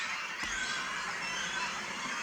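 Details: A continuous, dense chorus of high, thin squeals and squeaks with no pause from large young Great Cormorant chicks in spring, rising from hundreds or thousands of nests at the Kąty Rybackie reserve, Poland; the chicks are begging for food.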